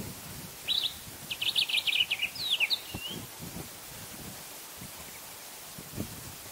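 A sombre greenbul gives a quick burst of clipped, whistled notes that slur into a brief trill.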